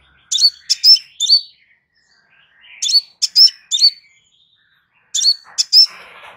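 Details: Crimson sunbird song meant as a calm tutor recording for training cage birds: three groups of four quick, high, metallic chirps ending in a brief whistle, repeated every couple of seconds, with a soft rustle near the end.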